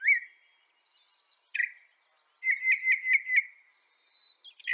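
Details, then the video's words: Northern mockingbird giving scattered notes: a rising whistle, a harsh note after a pause, then a quick series of chattery notes. Faint high tones sit in the background. "Veja o canto do pássaro, ave zombeteira"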